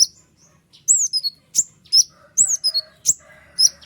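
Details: White-winged triller singing in sharp, rapid bursts, used as a training model for other songbirds: high downslurred whistles and quick stuttered chips in loose clusters, with short silent gaps between phrases.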